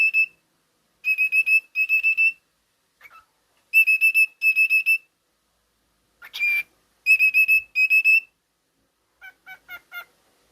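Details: Whistling by a pet male cockatiel indoors: short bursts of bright, steady, high piping notes, mostly given in pairs with pauses between, plus one brief scratchy chirp in the middle and a few softer notes at the end.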